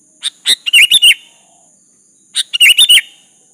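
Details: Sooty-headed bulbul in lively full song, calling a rival to answer, used as a lure: two short bubbly phrases of four or five quick, fluttering whistled notes about two seconds apart, over a steady thin high-pitched hum.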